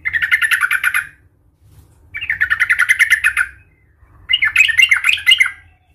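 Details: Yellow-vented bulbul in a "Tarung Garuda" fighting mood, used to provoke other bulbuls: three rapid rattling bursts of about one second each, separated by short pauses, over a faint low hum.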